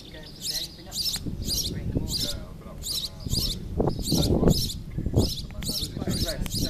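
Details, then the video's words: Sparrow calling from a roof in Mas Nou, Catalonia: repeated high, scratchy chirps at a steady pace, with low murmuring noise and thumps underneath. "A sparrow on the roof in Mas Nou, Catalonia"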